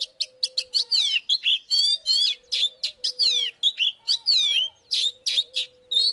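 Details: Magpie-robin lure song for provoking combat: a steady stream of short sharp notes mixed with descending whistled slurs, phrases repeated with little rest, a low even tone sounding faintly behind.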